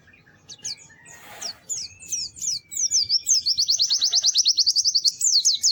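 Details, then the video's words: White-eye song starting with scattered thin, high notes after a brief rustle, then building into a loud, fast, even trill of sharp chips near the end. "Kicau Burung PLECI GACOR MERDU"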